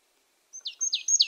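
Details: A brief call from a marsh tit: after a short pause, three high, thin notes, each sliding quickly down into a buzzier tail, repeated in quick succession against a quiet background.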